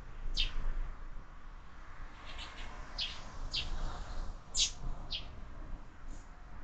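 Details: Sparrows visiting a window feeder, fledglings increasing in number, utter high, brief chirps at uneven intervals, one louder pair near the middle, over low background hum.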